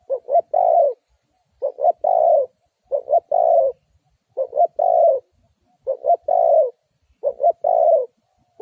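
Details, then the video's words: A decoy spotted dove cooing steadily to lure wild doves toward a trap. Six phrases follow closely, each two clipped hoots and a longer mellow coo, roughly every one and a half seconds. "Suara Tekukur Pikat"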